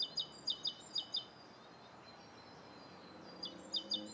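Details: Rose-coloured Starling in Bishopston, Bristol, on the morning of 29 November 2014; short high chirps in two tight clusters, one at the start and one near the end, with a quiet gap between and steady background noise throughout.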